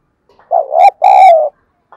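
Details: Decoy spotted dove meant to stir up wild doves: a loud, rich two-note coo, the first wavering upward, the second long and slowly falling, with a faint note at the end.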